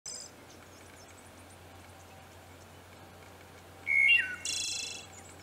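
One Wood Thrush phrase after a quiet pause: a few clear, flutelike notes slurring downward, then a high, shimmering trill that fades out.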